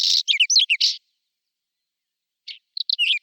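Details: Whinchat in spring song, April 2020: a burst of quick scratchy, chattering notes for one second, a pause, then a brief harsher note and further squeaky warbled fragments.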